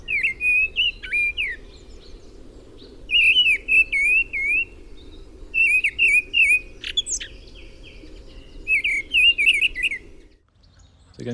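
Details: Mistle thrush song: short, rich, fluty warbled phrases, each about a second long, separated by brief pauses, over a steady low rumble.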